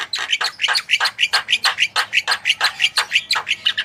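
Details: Javan myna tutor song, played to encourage other birds to sing: a rhythmic series of scratchy, whistled chirps repeated about five times a second, even and loud throughout.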